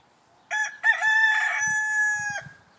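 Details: Rooster crowing as a morning wake-up greeting: a single loud, harmonic cock-a-doodle-doo lasting about two seconds, opening with a short broken note then a long sustained wavering tone that ends abruptly; faint low thumps beneath.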